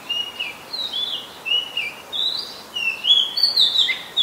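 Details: Singing Oriental magpie-robin recorded in Ubon Ratchathani, Thailand, 2 July 2022: rich varied whistles and short trills, notes climbing higher toward the end, steady and loud over faint ambient noise.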